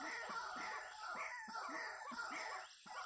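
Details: White-breasted waterhen (ruak-ruak, kreo padi) at a snare-trapping site, giving rapid, harsh croaking notes about three per second, each with a brief rising upper tone, loud and continuous against a constant hiss.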